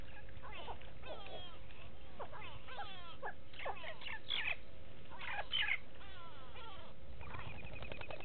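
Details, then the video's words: Go-away birds calling near the Gowrie dam waterhole, Djuma Game Reserve, Sabi Sand Wildtuin, South Africa, recorded live on 06/06/18; a busy run of loud, nasal, bending calls, often overlapping, nearly continuous over a low hum. "Go-away birds with audio"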